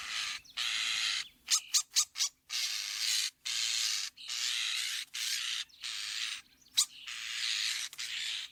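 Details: Song of a common starling (Sturnus vulgaris): long hissing, wheezy rasps alternate with quick clicking notes, forming a busy, almost continuous harsh sequence with only short gaps.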